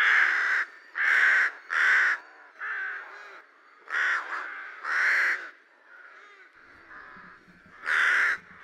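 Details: Spring rooks arriving back in Lithuania give a steady series of loud, hoarse caws, roughly one per second, some paired, with softer distant cawing filling the gaps and a flock-like chorus behind.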